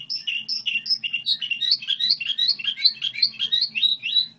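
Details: Goldfinch hybrid performing a song model, a few clear whistled notes leading into a fast, even series of rising slurred twitters, faint low hum in the background.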